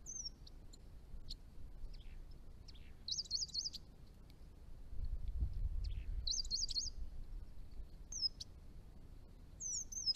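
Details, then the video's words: Chestnut-rumped thornbill, a declining small bird of northern Victoria, Australia: sparse high chips broken by short trills of fast, wavering high notes around three and six seconds, with brief sharp notes near the end and faint low rumble. "Chestnut-rumped Thornbill - an exceptional small bird"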